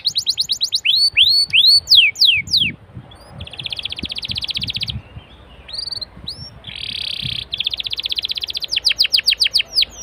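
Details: Canary song aimed at prompting other canaries to sing: rapid sweeping whistles, then stretches of fast buzzy trills and short slurred notes, closing with more quick sweeping notes over a faint low background.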